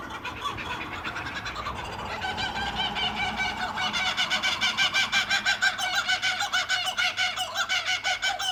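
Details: Kookaburras, two of them, calling at night along a Sawtell street: a cackling chorus that begins softer and swells into loud, fast, rhythmic hoots and chuckles, about three per second, and keeps rising toward the end.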